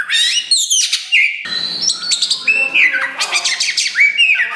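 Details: Strong song from a kacer wulung, a black Oriental magpie-robin that has just begun tail-pushing, used to draw out and challenge other birds. Descending whistles, dry buzzes and chattering trills follow one another rapidly.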